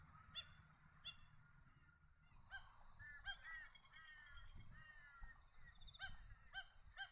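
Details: Magpie geese give loud, nasal honks, first singly about every second, then overlapping in a busy chorus of several birds, with a low rumble beneath; a flock at a lake in Gatton, Lockyer Valley, Queensland.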